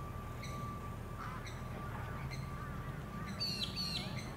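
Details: Sunshine Coast, Queensland, April 2021: a Eurasian coot utters spaced, short, sharp notes, ending in a louder harsh, squealing burst, set against a constant thin whine and a low background hum.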